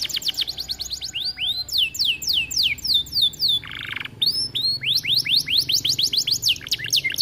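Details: Canary singing to stir other canaries into song and breeding condition: a fast, continuous stream of high downward-slurred whistles in rolling trills, briefly broken by a buzzy burst midway, then resuming the rapid swept notes.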